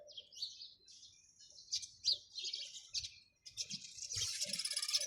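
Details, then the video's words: Sparrows chirp and twitter, with slurred high notes building into a dense, rapid chatter toward the end, over soft low taps. "চড়ুই পাখির কিচিরমিচির শব্দ Chirping sound of sparrows"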